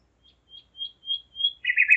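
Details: A common nightingale singing at 01:55 at night on 5 May 2017 in Zeitz, Germany gives a phrase of pure, high whistled notes about every third of a second, growing louder, then ending in a harsh, buzzy rattle.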